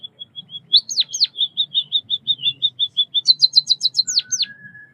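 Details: Bondol kaji, the White-headed munia, delivers a string of level, thin piping notes broken by two swooping chirps, then a fast high trill of chirps and a short low whistle at the close.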